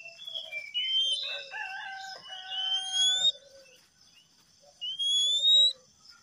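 A male Oriental magpie-robin sings bright, varied whistled phrases with clear rising slurs, in two bursts separated by a pause, over a steady high hiss.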